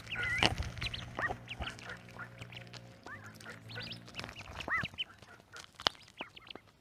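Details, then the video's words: Young duck peeping: repeated thin, arched, high notes, sometimes in quick pairs, over a steady low humming background that sounds like faint music, with one sharp click partway through. "little duck sound"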